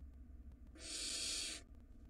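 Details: Wild barn owl nestlings in a monitored nest box, fighting over a meal: one harsh, hissing screech lasting nearly a second, broad and noisy, rising in and fading out, with low background rumble.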